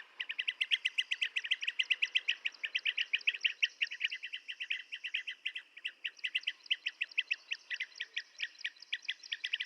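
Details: Busy chorus of rapid, burry chirps from blue-tailed bee-eaters, continuous and overlapping throughout, with a faint steady insect drone behind.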